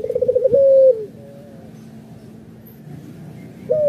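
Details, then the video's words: A local Barbary dove kept as a pet gives a low, rolling coo, a quick stuttering run into a drawn-out hum, then begins a second coo, over a faint low hum. "suara puter lokal"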